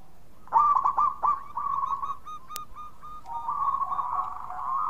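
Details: Local zebra dove in full song, used as a lure to draw other doves: a soft, quick stutter of low cooing notes, then a longer rolling, warbled coo that stays even in pitch.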